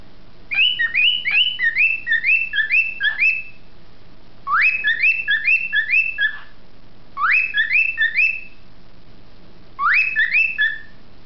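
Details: A cockatiel named Beacon whistles bouts of quick, rising slurred notes, several phrases in a row with short pauses, as if giving a lecture; recorded 9/1/07. Finding: Cockatiel.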